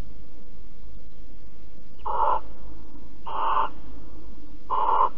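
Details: Morning recording of barn owls cuddling at Alphen, 5 September 2019: three rasping, breathy hisses of under half a second each, spaced about one to one and a half seconds apart, over low rumbling background noise.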